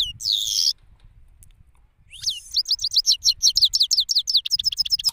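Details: Male European goldfinch from Parachinar, Pakistan, singing outdoors: a harsh buzzy wheeze, a brief silence, then a fast, even series of bright, high twittering notes.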